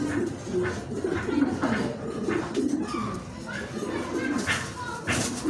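Soft, low cooing from a ring-necked dove, repeated in rolling phrases, with murmured voices and room noise in the background.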